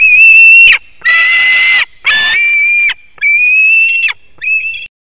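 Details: White-tailed eagles at a nest in Latvia, filmed by webcam at 7:06 am on 17 August 2018 as one bird brings a fish and others scream while arriving. Loud, harsh, ringing screams in five drawn-out bursts, each about a second long, with short silent gaps.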